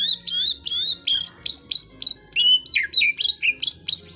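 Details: Loud white-rumped shama phrases for goading a competitor, sharply rising and falling whistles repeated about three times a second, each note bright and clear with buzzy overtones.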